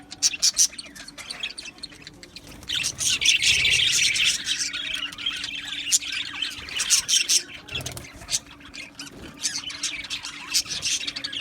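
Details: Australian budgies in an aviary colony: a few loud squawks open, then a swelling mass of warbled chatter and chirps from many birds, continuing to the end over a low hum.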